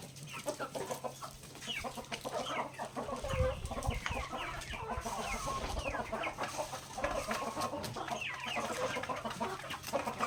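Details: Several native backyard chickens pecking grains during their daily feeding, a dense chorus of overlapping clucks and short chirpy calls throughout, with a steady low hum and occasional knocks beneath.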